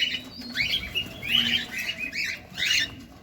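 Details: Cockatiel at feeding time, recorded close up: four raspy, chattering chirp clusters spaced about half a second to a second apart, each a short burst of rising and falling notes over a low background hum.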